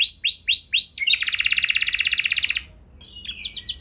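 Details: Canary training song for prompting other canaries to sing: four rising whistled notes, a fast buzzy rolling trill lasting over a second, a pause, then quick descending sweeps.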